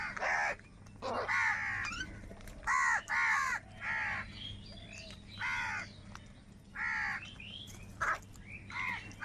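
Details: Several crows call while fighting for food: irregular harsh caws, some overlapping, mixed with short rising squawks and quieter distant cawing in the gaps.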